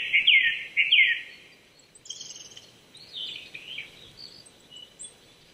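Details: April 2019 morning at 800 m in Chichibu, Saitama, Japan: a Japanese thrush gives two loud, rapid whistled phrases, followed by quieter high chirping and twittering from other birds.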